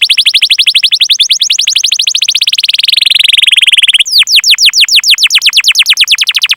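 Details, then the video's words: Canary song, long chirping used to lure other canaries into singing: a fast rapid trill of repeated notes, sinking slowly in pitch, then a switch to a quicker series of sharp downslurred chips. "Masteran Suara Burung Kenari Gacor Panjang cuit cuit Ngerol untuk Pancingan Kenari!"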